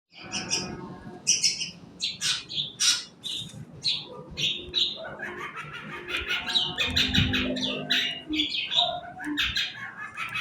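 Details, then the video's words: Long-tailed shrike singing in the morning, a recording meant to stimulate other birds to sing: dense bursts of harsh, scratchy chattering notes, some higher and squeaky, tumbling together almost continuously, with low rumbling background noise. "apancingan cendet di pagi hari"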